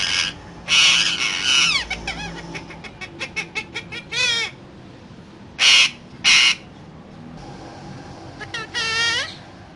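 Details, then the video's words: Talking parrot mixing long harsh squawks, a rapid train of clicks, wavering whistled phrases and two short loud screeches, ending with another warbled whistle. "Raw Parrot Talking So Cute"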